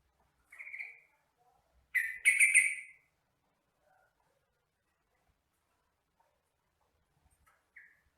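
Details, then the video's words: Song of a yellow-vented bulbul, recorded as training material for captive birds: a short chirp, then a loud, rapid cluster of bubbly notes, then quiet with a faint single note at the end. "MASTERAN BURUNG TRUCUKAN (Jogjog)"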